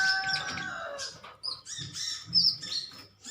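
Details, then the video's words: Colony of nectar-feeding sunbirds with a greenish metallic sheen, chattering at each other: a sustained whistled tone at first, then scattered sharp high chirps in short bursts. "Koloni burung konin metalik ijoan saling adu nyrecet"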